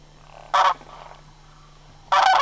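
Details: Migrating sandhill cranes at Homer, September 2009. Two loud, harsh trumpeting rattles about one and a half seconds apart, with softer calls in the gap between them.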